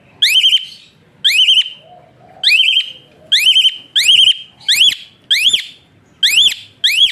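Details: Whistling song of an Asian pied starling, used to train and stimulate other birds: loud upslurred whistles repeated roughly every second, some ending in a level warble, others arching sharply up and down.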